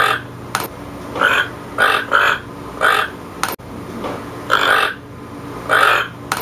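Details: Toucan calling with throaty, croaking notes, single and doubled, spaced unevenly, accompanied by sharp clicks and a persistent low hum.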